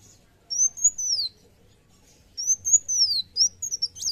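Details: Black sunbird in fighter-style song, giving two long, high, drawn-out whistles that arch up and slide down, separated by a short pause, then a few sharp chips.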